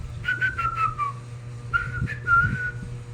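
A cockatiel gives a run of short, clear whistled notes that slide gently downward, then pauses and whistles again.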